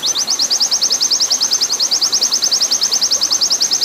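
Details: High, rapid, machine-like trill from an oriental white-eye, the long 'nembak panjang' master style used for training caged birds, with evenly repeated sharp chips throughout and gentle water hiss behind.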